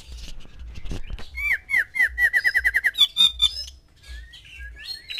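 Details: Caged male white-rumped shama among six females, song meant to stir mating: scattered chirps, then a fast series of about a dozen repeated looping whistled notes, a brief buzzy burst, and softer trailing notes; low hum beneath.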